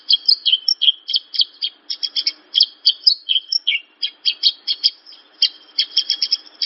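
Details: Javan bush lark singing a steady stream of short, high chirps and sharp notes in quick succession, with a brief slurred whistle in the middle. The song is meant to prompt other larks to sing.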